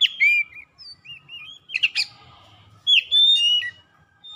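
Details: Softer white-rumped shama song for coaxing silent birds to sing: gliding whistles rising and falling, a couple of harsh bursts, then bright whistled notes with a faint low hum underneath.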